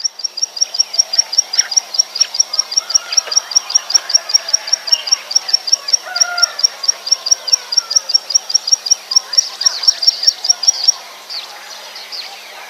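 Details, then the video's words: Prinia, recorded in the wild and used as a lure for trapping birds: a sharp, high, clipped note repeated about two and a half times a second, stopping near the end, over a busy background of other birds' chirps and whistles. "SUARA PIKAT CIBLEK SAWAH ASLI ALAM"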